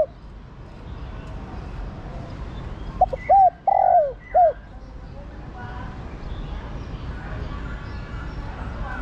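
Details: Female spotted dove urging and calling to a male. A single phrase sits mid-recording: two brief hooked notes, then a drawn-out, slightly descending coo and a final short note. Quiet background.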